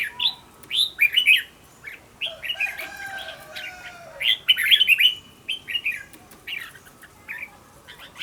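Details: A decoy red-whiskered bulbul in singing practice gives short loud warbled bursts about every one to two seconds, each a quick cluster of rising and falling notes, separated by near-silent gaps with faint background tones.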